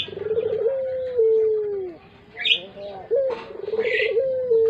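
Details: Puter dove of the long-cooing pelung type, suited as a lure bird: a low rolling trill running into a long, drawn-out coo that sags at the end, repeated twice, with faint chirps of other small birds.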